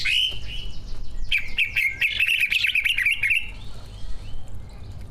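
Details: Caged competition greater green leafbirds, two birds singing with mimicked fill notes: a short whistle, then a fast jumbled warbling trill for about two seconds before it tapers into quieter scattered notes.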